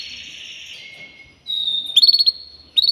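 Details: Canary singing: a long buzzy high note that drops to a thin steady whistle, then a bright flat tone and a quick rattling trill of rapid pulsed notes near the end.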